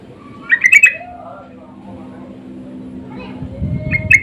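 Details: Sooty-headed bulbul answering in a lure-call exchange: one quick bubbly burst of notes near the start, a long quiet stretch, then the start of another burst at the end.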